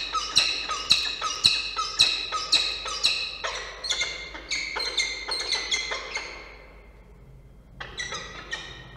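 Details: Peregrine falcons at a nest in Orange, New South Wales, on 31 August 2024, during a changeover as the male brings food and the female takes it and flies off: series of harsh, repeated wailing calls, then quieter, with one late call.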